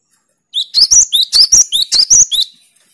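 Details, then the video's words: Gelatik batu, the cinereous tit, delivering a 'tembakan' burst meant to challenge rivals: about nine piercing, rising whistles fired in quick succession over two seconds, in an otherwise quiet setting. "Tembakan burung Gelatik Batu paling joss melatih mental lawan"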